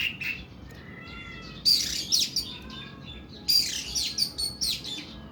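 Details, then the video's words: Oriental magpie-robin of the kuku bima type, singing in the long, harsh 'nembak' style: faint thin whistles early on, then two loud bursts of sharp, high, rasping chirps, with low steady background noise. "KACER KUKU BIMA NEMBAK PANJANG & KASAR"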